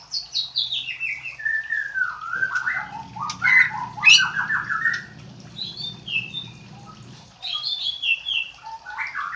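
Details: Young white-rumped shama from Medan gives a run of clear whistled notes that slide downward in steps, followed by rising and falling warbled phrases, with a steady low hum underneath for several seconds.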